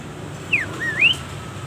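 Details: Long-tailed shrike song used to train caged birds: two clear whistled notes, the first falling, the second rising, separated by a short pause, faint background hiss.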